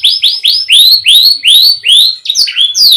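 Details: Canary song to spur quiet canaries: a steady series of bright, rising whistled notes, each repeated at about three per second, closing with a quicker cluster of sharp high notes.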